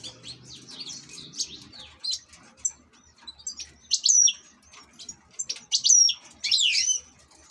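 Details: European goldfinch kept as an ornamental cage bird, singing in bursts of high twittering and buzzy notes with a couple of clear whistled upslurs, separated by short pauses; faint low hum underneath.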